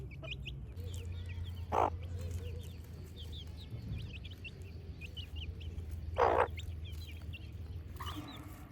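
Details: Village chicks at morning make faint, quick, high peeps throughout, with two loud, brief, rasping bursts standing out and a steady low rumble beneath.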